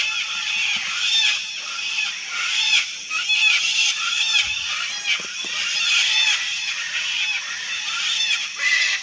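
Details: Wild sulphur-crested cockatoos in a colony produce a dense, rough chorus of shrieks and squawks, many voices overlapping without pause, with a few soft low thumps in the background.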